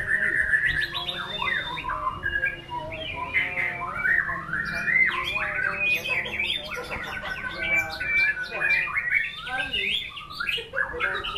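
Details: Long, lively white-rumped shama song, a continuous stream of quick whistles, trills and chattering slurs that rise and fall, with a steady low hum in the background.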